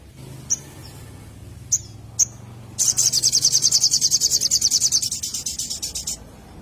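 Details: Little spiderhunter sound used as a lure for birds: three sharp, very high chips spaced apart, then a fast, even trill of high metallic notes lasting about three seconds before fading out. Faint low hum underneath.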